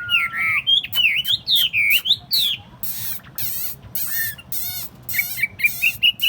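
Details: Caged Chinese hwamei (thuần tít) kept in a portable cage on a table, singing varied loud whistled phrases: rising and falling slurs, rapid buzzy trills and harsh bursts, ending in repeated rising whistles, over a steady low background hum.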